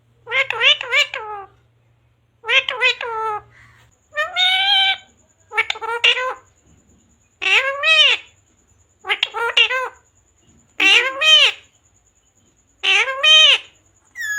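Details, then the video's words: Pet parrot talking, repeating words such as mummy papa and radhe radhe: eight short nasal, voice-like phrases with wavering pitch, each about a second long, spaced by pauses in a quiet indoor setting. "Parrot talking mummy papa | Parrot talking radhe radhe | राधे राधे बोलने वाला तोता"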